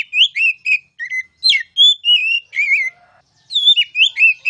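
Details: Oriental magpie-robin (kacer) master song in the loud ngeplong style, from a recording for training would-be champion birds: clear whistled phrases, rising and falling, with quick slurred notes and short bursts. Brief pauses separate the phrases, and there is no background noise.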